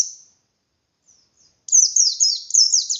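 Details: Persistent ngalas-style white-eye song meant to rouse less combative white-eyes to sing: after a faint note, a rush of high sweeping whistles, each sliding downward, strung tightly together for over a second.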